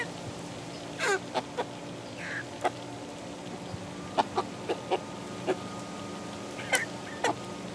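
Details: Eleven-week-old chickens of mixed breeds (ISA Brown, Barred Rock, Easter Egger, Speckled Sussex, Australorp) in a play pen give sparse, short, sharp peeps and chirps spaced over a quiet, steady background hum.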